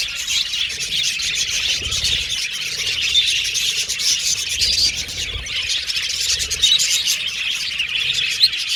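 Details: Colorful Australian budgies, pet birds, singing and chirping in a thick chorus: overlapping high tweets and warbles, with occasional louder sharp notes rising out of the steady chatter.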